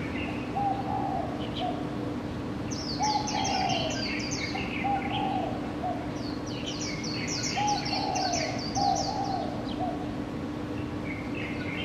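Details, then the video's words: Morning birdsong recorded with a Canon PowerShot SX700 HS: low, soft cooing phrases repeat every few seconds beneath bursts of high, rapid chirping trills, over a steady low hum. "Bird 早安曲"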